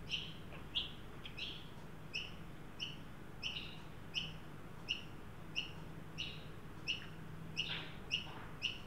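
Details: Adult and juvenile Australian magpies visiting a new birdbath in a Sydney yard on 9 December 2023, a heat-wave day reaching 43 °C; a steady run of brief, bright chirps, roughly one every two-thirds of a second, with a soft low hum beneath.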